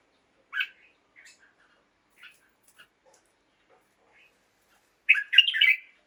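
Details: Caged red-whiskered bulbul singing in the morning. Sparse, faint short chirps are followed by a loud burst of rich, warbled whistled notes near the end. No other sounds.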